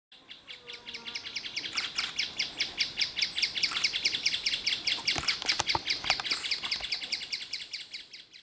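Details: Male mouse-colored tapaculo, singing alongside another nearby male after playback, with about three males calling nearby, gives a long, steady run of quick, sharp, high notes, about two to three per second; faint low whistles and clicks.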